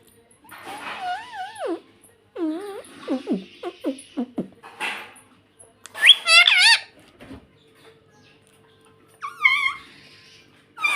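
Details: Pet rose-ringed parakeet producing a rapid run of short, descending, wavering notes, then louder strident screeches and a final pair of harsh calls, with quiet gaps between phrases.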